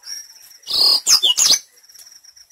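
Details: High, buzzy trill followed by quick chirping and downward whistled notes from a black-throated canary, played as a lure to make birds sing eagerly; a faint steady high tone runs underneath.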